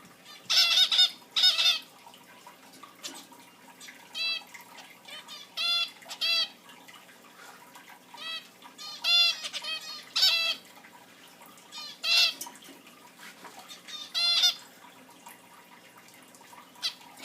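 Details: Pet zebra finches chirping: nasal, toy-trumpet beeps in short bursts and scattered single notes.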